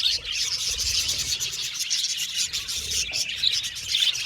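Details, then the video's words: Happy budgerigars in an aviary colony, a dense chorus of many birds chirping together: continuous high, scratchy twittering with quick overlapping tweets and no pauses. "Happy Budgies Chirping Sound"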